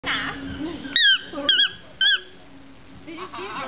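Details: Toucan in Nicaragua giving three short, squeaky, wavering calls with a bent pitch, close together near the middle, and fainter warbling sounds at the start and end.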